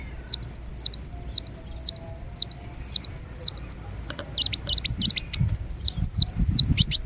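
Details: Persistent song of a ruby-cheeked sunbird, Indonesia, played as a lure and training track: a long run of high, squeaky, looping whistles repeated about twice per second, then clipped ticks and more zigzagging notes.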